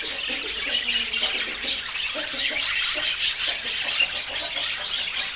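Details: Busy budgerigar warbling: a nonstop stream of high, raspy squawks and chirps mixed with some lower, buzzy notes.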